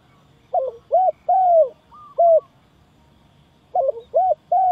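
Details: A dove, tagged as spotted dove, at a trap gives two bursts of soft, hooting coos, each a quick run of three or four rounded notes, with a brief pause between them against a quiet background.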